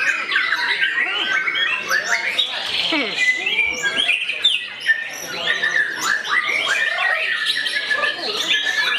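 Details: Captive white-rumped shama actively attacking a rival, pouring out a dense, loud stream of varied whistles, rapid trills and sharp chattering notes without pause, with overlapping bird voices and faint human speech behind.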